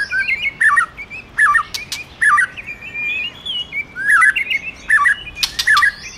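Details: White-rumped shama male singing, stimulated by a female: short whistled phrases with twisting, rapidly modulated notes in groups, separated by brief pauses, with sharp clicks between some phrases.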